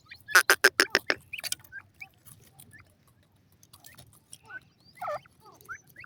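A francolin gives a quick burst of about six loud, harsh notes, then falls quiet apart from scattered soft chirps and faint background noise.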